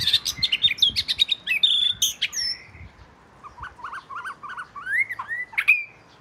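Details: Oriental magpie-robin, southern form, the first at the house, sings a rich, rapid song of scratchy notes and clear whistles, followed by a pause and a lower series of short rising whistles.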